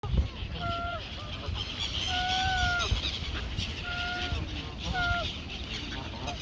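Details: Noisy geese at Mote Park in Maidstone, UK, by the water: drawn-out, level nasal honks repeated about every one to two seconds over a steady murmur of background noise and distant human voices.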